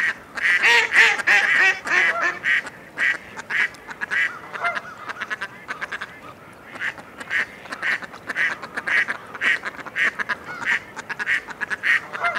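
Mallard giving harsh, nasal quacks in a quick, uneven series of about two per second, with a few brief pauses between bursts.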